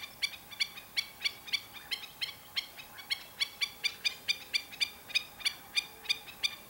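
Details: Black-winged stilt giving a long run of loud, clipped, barking notes, evenly spaced about three per second, each harsh and harmonic-rich, over faint low hum.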